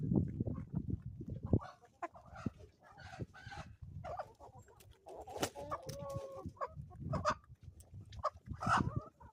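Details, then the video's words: Ozarks homestead chickens at morning: a busy mix of short clucks and longer harmonic calls, with loud low rumbling in the first seconds. "relaxing sounds and chickens from the homestead"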